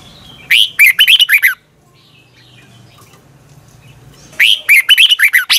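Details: Morning singing of a Red-whiskered bulbul used to stimulate other birds to sing: two matching phrases of fast, chirpy whistled notes separated by about three seconds of low hum.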